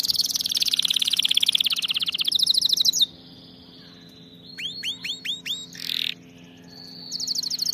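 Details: Canary tutor song for teaching canaries: a loud rolling trill for three seconds, a thin sustained whistle, a quick run of upswept notes, a buzzy burst and a final high trill.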